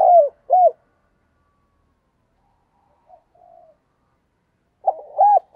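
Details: Spotted dove used as a decoy to attract wild doves, uttering brief soft hooting coos at the start and end with near silence and faint murmurs between.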